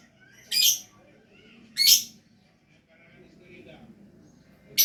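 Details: Lovebird in gacor song: two loud, rasping high chirps over a second apart, a quiet stretch with faint low sounds, and another chirp starting at the end.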